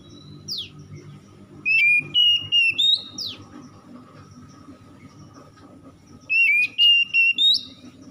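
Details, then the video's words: Morning-dew kacer (oriental magpie-robin) lure song meant to revive stressed birds into song: sharp descending whistles, then a rapid run of bright, clear whistled notes, repeated after a long quiet gap. "PANCINGAN KACER EMBUN PAGI"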